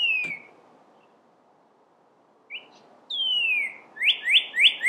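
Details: Red cardinal singing in spring to attract a partner: a falling whistle, silence, a short note and another long downslurred whistle, then a quick series of loud rising whistles.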